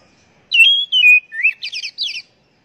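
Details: Oriental magpie-robin song meant to coax kept birds into frequent singing: a drawn-out whistle gliding down, a rising slur, then a burst of fast scratchy trills, all within two seconds.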